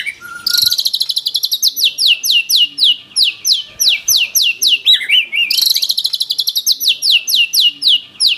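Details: Powerful white-rumped shama song full of rapid bursts: long series of crisp downslurred whistled notes repeated several times a second, interrupted by a short wavering lower phrase.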